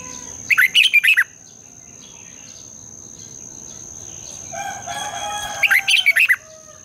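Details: Red-whiskered bulbul morning song, a long double twisting style used as a lure to train caged birds to sing. Two quick bursts of five or six sharp warbled notes, separated by a few quiet seconds, over a steady high whine.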